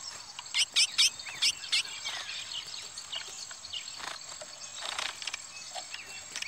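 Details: A captive chestnut-bellied seed finch (curió) fights hard with a brown-plumaged rival before it is nearly caught. It gives a burst of five loud, sharp whistled notes, then softer scattered chips, over a steady high insect hiss.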